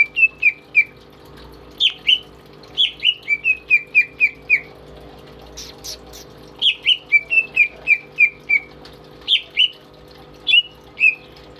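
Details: Pet greater green leafbird in energetic song, kept as a master bird: repeated series of short downslurred whistles in quick runs, broken by brief pauses and one soft noisy burst.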